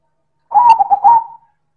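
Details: Single loud manggung coo phrase from a silver zebra dove (perkutut): a short, throaty, broken coo of a few quick notes ending in a drawn-out tone, in a quiet setting.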